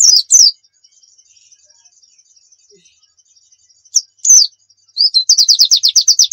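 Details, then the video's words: Pleci dakun white-eye from Pacitan, a lively bird kept as a tutor recording: two high sharp chirps, a pause, more chirps, then a fast run of about a dozen high descending notes. "masteran pleci gacor nembak full isian"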